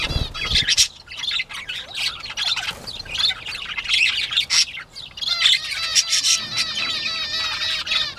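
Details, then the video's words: Northern bobwhite quail at play on the morning of 19 April 2017: a lively chorus of high, thin chirps and rapid twitters, many birds overlapping, with a low thump at the very start. "Bobwhite Quail playtime"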